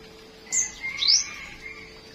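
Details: Two high flowerpecker notes in the morning, a short thin whistle and then a longer down-slurred sweep, with a faint lower whistle running underneath.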